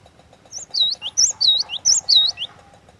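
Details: Lively lure song from a cinereous tit: ringing whistled 'tee-chu' phrases, a high note sliding into a scooped lower one, repeated about four times in under two seconds against a faint steady mechanical ticking.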